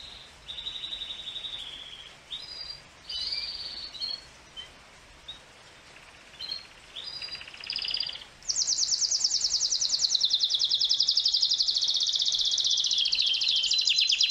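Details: Courting male canary: sustained whistled tones and short trills separated by pauses, then a loud, continuous high rapid trill for the last six seconds over faint background hiss.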